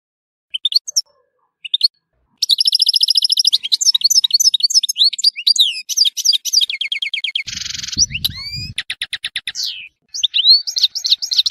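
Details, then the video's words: Tissemsilt European goldfinch: a few scattered chirps lead into a long, rapid twittering song with trills, a harsh buzzy note and some low knocking near the end. "تغريد حسون تيسمسيلت"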